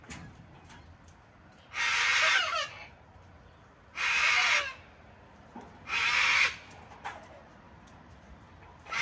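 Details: Wild cockatoos squawk on a house deck in Australia during cold, wet winter weather while being hand-fed by a person. Three grating, rasping screeches of under a second each come about two seconds apart over a quiet background.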